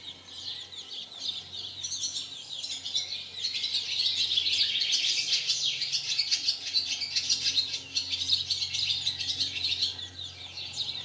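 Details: House sparrows mating, which they do very often, in 2020: dense, excited high chirping that swells after two seconds into near-constant chatter, with soft wing flutters and a faint low hum.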